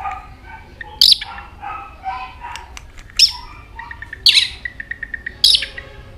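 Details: White-rumped shama singing many varied notes while continuously flicking its tail; loud sharp high bursts roughly every second, between them softer short whistled notes and a run of quick repeated mid-pitched pips.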